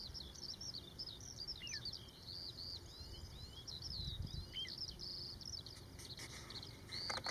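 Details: Little ringed plover with chicks gives a rapid series of thin, high whistled notes, some dropping in pitch, several overlapping, over a low rumble of wind.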